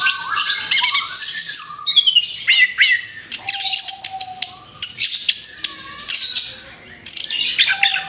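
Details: Song of an orange-headed thrush after moulting, sung as a training recording: energetic, varied phrases of crisp clicks, sliding whistles and high trills in repeated bursts, with a faint low hum in places.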